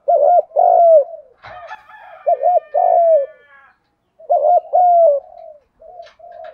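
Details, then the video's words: Spotted dove, thúc gù cooing for bird training: three loud looping-and-falling coo phrases, broken once by a brief harsh, rough call, with soft coos at the end. "Tieng chim cu gay giong dong thuc gu giong hay, chim cu gấy, cu cườm hay còn gọi nà cu đất thúc gù"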